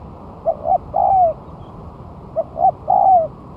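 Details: Spotted dove on the ground as a lure, one month after moulting, singing vigorously: two phrases, each a pair of short coos leading into a longer coo falling in pitch, with a pause between them.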